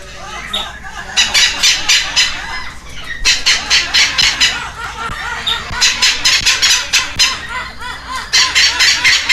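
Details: Hand-fed baby red-lored amazons, two captive chicks in Heredia Province, Costa Rica, on May 13, 2022, begging for food: long series of harsh, rhythmic squawks in several bouts, with softer nasal notes between them.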